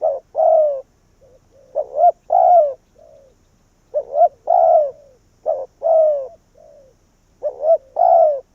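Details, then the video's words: Calling in wild doves, a spotted dove decoy repeats mellow three-part coos: short hoots then a longer falling croon. Quieter single coos fill the gaps. "Cu Gáy Việt Rút Bổi Về Chung Tàn | suara burung tekukur"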